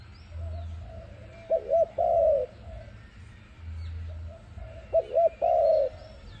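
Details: Dove coos used as a trap lure: two phrases of paired short arched notes and a long wavering falling coo, preceded by faint softer coos and low droning noise.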